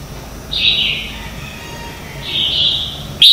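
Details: Red-whiskered bulbul morning contest song used as a decoy for training: two moderate, slurred whistled phrases about two seconds apart, ending in a sudden loud note.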